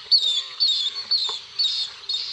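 Bronze-winged jacana giving five high, wheezy, nasal notes, one roughly every half second, each a harsh buzzy burst.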